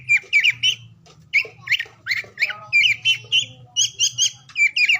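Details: Oriental magpie-robin song intended to rouse silent or lazy birds; bursts of warbled, twisting whistles in short repeated phrases, clear over a faint low hum.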